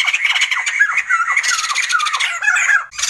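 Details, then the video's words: Sumatran laughingthrush in a continuous cackling outburst of raspy, squealing notes mixed with falling slurred calls, ending in a brief gap and a final harsh burst. "Sumatran laughingthrush | The sound of birds laughing"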